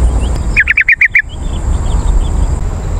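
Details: Yellow-vented bulbul lure call for wild birds. A single quick burst of six bubbly notes lasting under a second, followed by faint distant chirps and background hiss.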